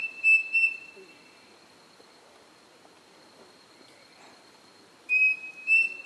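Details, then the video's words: A pavonine cuckoo (Dromococcyx pavoninus) in Floresta Estadual Edmundo Navarro de Andrade forest, Rio Claro, São Paulo, on 23 August 2018, gives pure, high whistled notes in a quick pair, repeated after a few seconds, over a faint steady insect hum. "Dromococcyx pavoninus (peixe-frito-pavonino)"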